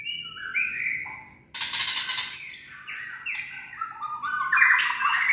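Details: White-rumped shama giving kretekan, rattle-type song meant to provoke other shamas into singing: falling whistled notes, a brief pause, then a loud harsh rattle burst followed by varied chattering and whistled phrases.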